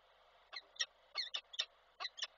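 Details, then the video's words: Peregrine falcon at its nest in Koszalin, Poland, on 17 February 2023, giving brief 'ciokanie' chattering calls: about seven sharp, harsh, clipped notes, some doubled, with a steady background hiss. "z ciokaniem na chwilę"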